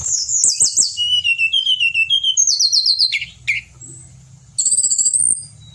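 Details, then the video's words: Steady Pied bushchat (Tledekan Gunung) song recorded for training other songbirds: fast repeated high chips, a long series of level whistles, a short pause and a bright sustained warbling trill. "Tledekan Gunung Gacor"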